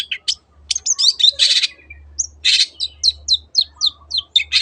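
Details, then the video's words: Lure song of a long-tailed shrike, 'teot teot' style, meant to get other birds singing: short sharp chips and whistled slurs alternate with broad, rasping bursts, then a steady series of clipped downslurred notes. "SUARA BURUNG CENDET TEOT TEOT pancingan AGAR BURUNG MANAPUN IKUT GACOR"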